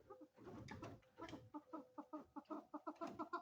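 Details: Female chukar partridge: after a rustling, noisy start, a quick sequence of short clucking notes repeated about four times per second.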